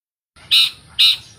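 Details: Long-tailed shrike, wild, giving two loud, harsh, squeaky notes about half a second apart, each a short strained burst.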